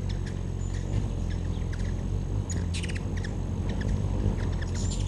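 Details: Hummingbirds at a backyard feeder in 2013: scattered sharp, high chips and a few brief buzzy chatter bursts over a steady low rumble of background noise.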